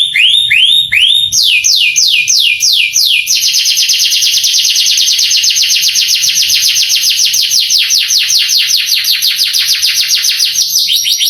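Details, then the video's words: Canary song for provoking young canaries: rising whistles, a few loud downslurred notes, then a long fast series of sweeping chirps. "MASTERAN KENARI bikin KENARI PANAS EMOSI langsung gacor"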